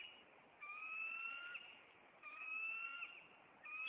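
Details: Bald eagle at its Maine nest on April 26 as the male chases an intruder: evenly spaced, drawn-out high whistles, slightly rising, three in a row over low hiss.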